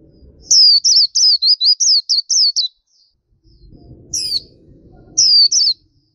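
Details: High, sweet warbling phrase from a black-capped white-eye, gacor-style masteran song: eight rapid looping notes, a pause with faint low rumble, then one sharp upward note and a short two-note ending.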